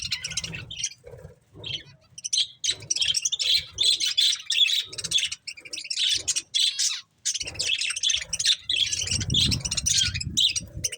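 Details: Pet budgerigars eating corn, with dense high chirps and warbles in quick bursts, broken by short pauses, over soft low thumps and rustling from feeding.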